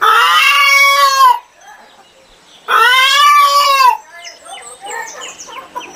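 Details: Chicken squawking twice, each call long, loud and harmonic with a slight arch, separated by a pause, with soft chirping and clucking afterwards.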